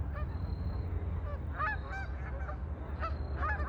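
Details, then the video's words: Ducks on a lake with scattered harsh, nasal quacking notes, some in quick pairs and a busier cluster near the end, set against continuous low-pitched background rumble and a faint steady tone. "Ducks on a lake for relaxing sound"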